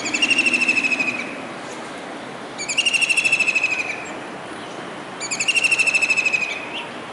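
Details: Kingfisher perched on a rooftop disc antenna in Surat, Gujarat, on a rainy July 2019 day, calling as if searching for another bird: three high, rattling trills about a second long, each separated by a pause, over steady background hiss.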